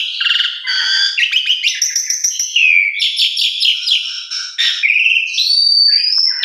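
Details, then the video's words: Lure recording of Javan pied starling meant to be played each morning for stalled or stressed birds: dense chattering song mixing buzzy trills, harsh rattles and clear rising whistles in an unbroken stream. "Putar Tiap Pagi Pancingan Luar Biasa - Semua Jalak Suren Macet Pundung Atau Stres Langsung Gacor"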